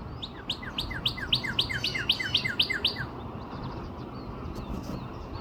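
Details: A northern cardinal near Nashville, Tennessee, on 17 April 2026, gives a quick run of about ten clear, down-slurred whistles, roughly four a second, then stops, over a low background rumble.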